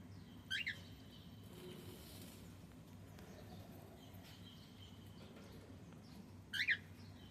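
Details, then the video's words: Male cockatiel calling twice, each a brief, bright, rising double chirp, about six seconds apart, over a low background hum. "Cute Cockatiel sound 💝🎀male Sound"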